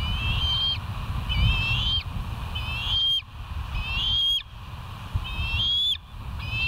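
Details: Bald eagles on the West End live nature cam around dawn, 07/05/2023: a steady sequence of shrill, high whistled notes with sharp upward flicks at the ends, about one per second, over low background rumble.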